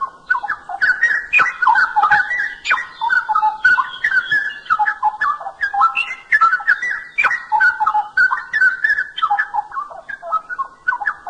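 Straw-headed bulbul pouring out a loud, rich, bubbling warble: fast, liquid phrases tumbling up and down without pause, with no other sounds heard.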